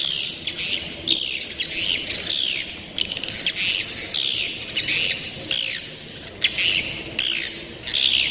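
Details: Young swiftlets repeat downward-sweeping buzzy chirps, singly or in pairs, roughly every half to one second.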